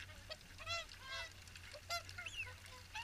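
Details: Swans at the morning feed at WWT Caerlaverock give loud, nasal honking notes rich in harmonics, several in quick succession, some bending up then down, over a steady low rumble.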